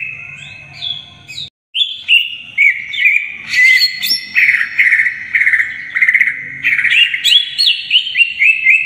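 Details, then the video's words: Greater green leafbird in loud gacor song, full isian repertoire, meant as masteran for young birds: a brief break, then a rapid string of sharp whistled notes, upward slides and trills in quick pulses about twice a second. "Cucak Ijo Gacor Bongkar Isian Full"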